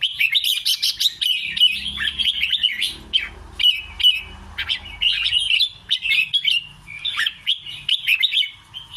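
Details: Red-whiskered bulbul singing in a style called 'double' with scattered 'rik' notes: a dense, continuous stream of bubbly whistled phrases, rising and falling, with short breaks near three and six seconds.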